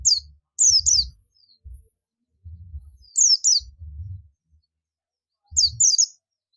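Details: Calling to companions in ngalas style, a buxtomi Oriental white-eye gives paired high, sharply falling whistled notes in three bursts about two and a half seconds apart, with faint low knocking between.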